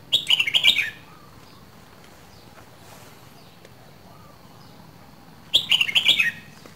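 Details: Red-whiskered bulbul from Dak Lak, Vietnam, two seasons old: a quick, bubbly warbled phrase of rolling notes, then a pause of about four seconds and a second similar phrase, with faint background noise.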